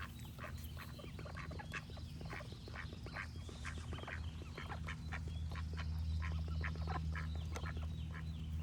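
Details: Busy duck quacking, short harsh calls stacked about four a second, growing slightly louder toward the end, with faint birdsong and a deep background drone.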